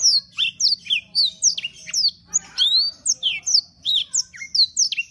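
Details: Canary, known locally as kenari, pouring out a fast series of high swooping whistles and sharp chirps, with a short harsh burst midway; steady low hum in the background.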